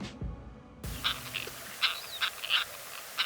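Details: Sociable Lapwing, one or two individuals, recorded in Kazakhstan in 2013: after a brief burst of laughter, short harsh rasping notes come singly at uneven intervals, with a faint thin whistle between them.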